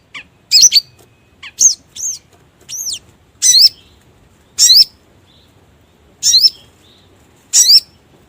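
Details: Lure call of the sogon bird for trapping: high, sharp, rising chirps and a few arched whistled notes, spread unevenly over eight seconds with longer gaps near the end.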